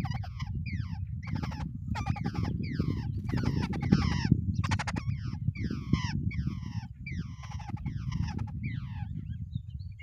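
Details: Harsh chattering from a pair of wild babblers sitting together in the nest: rasping, falling notes repeated roughly every half second in a continuous series, with heavy low-pitched rumbling noise underneath.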